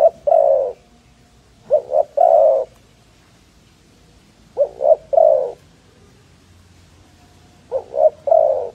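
A dove gives soft, low cooing phrases, two short notes then a longer one, repeated about every three seconds against a quiet background.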